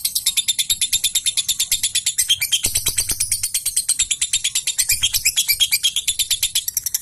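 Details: Fighter-type lovebird in full gacor singing, used to make listening lovebirds join in: a long unbroken run of fast, high, buzzy chirps repeated steadily, with a brief lower rattle partway through.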